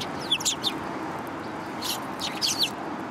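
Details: Town sparrows approach for food on 30 November 2015. A few bright chirps at the start, a quiet stretch, then another short cluster of high notes near the end.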